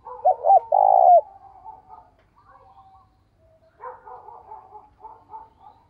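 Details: Decoy spotted dove calling wild birds in the morning: a single phrase of two brief coos and a long rolling coo, followed by faint twittering and chirps.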